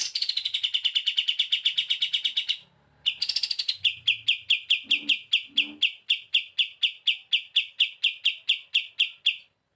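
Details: Energetic song of a pied triller kept as a master bird for training: a long rapid run of high, ringing notes, a brief break, then a steadier series of about two dozen sharp chips, with faint low background sounds.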